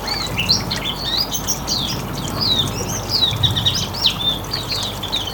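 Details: Riwikan-style Hume's white-eye song, a lure for other birds: quick sweeping high chirps and slurred twitters in a continuous stream, with low rumbling background noise.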